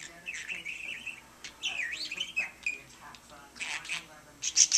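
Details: Pet budgie addressing a lamp with warbling chatter: wavering whistled phrases, a swooping squeak, then bursts of buzzy chirps and clicks growing louder toward the end.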